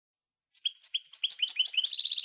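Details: European goldfinch singing: a quick, accelerating series of bright, high twittering notes that grows into a dense, tinkling chatter, in otherwise silent surroundings.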